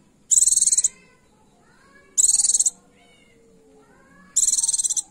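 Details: Calling to draw a male, a female Oriental white-eye gives three high-pitched pulsed trills roughly every two seconds, with faint lower chirps in the gaps between them.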